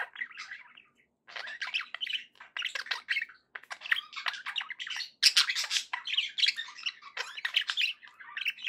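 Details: Happy pet budgerigars keep up almost continuous chatter, a rolling mix of squeaky chirps, buzzy notes and scratchy warbles after a short opening pause.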